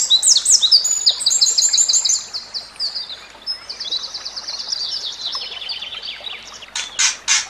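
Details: Training song of the white-rumped shama, murai batu: long high-pitched trilled runs of fast repeated ticking notes that fade gradually, ending with a few sharp, loud high bursts.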